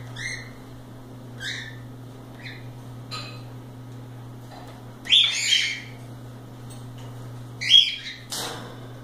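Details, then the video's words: Cockatiels kept loose indoors, playing, give sparse short chirps early on, then two louder harsh squawking bursts later, with faint rustling and a constant low hum. "Calopsitas Live Canto dos pássaros"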